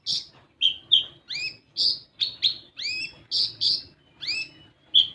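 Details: Olive-backed sunbird song played as a lure for untrained birds: sharp high chirps alternate with curved, falling whistled notes in a quick, uneven series, about two per second, over a faint low hum.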